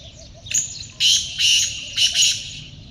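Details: A kaala teetar, the black francolin, calls close by with a short lead-in note and then three rasping, grating phrases in quick succession. Behind it there is only a low, steady background murmur.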